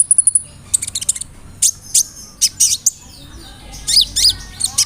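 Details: Brown-throated sunbird (kolibri ninja) lure song of the 'roll nembak' style, with fill-ins of cricket, cililin, sparrow and 'cerr' sounds: a rapid opening burst of very high sharp chirps, then scattered clusters of thin, piercing notes.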